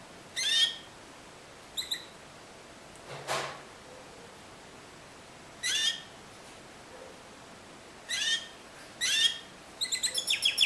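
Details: Timbrado canary singing discontinuous style: isolated bright chirped notes spaced a few seconds apart, with one short noisy burst, ending in a quick burst of six rattled notes.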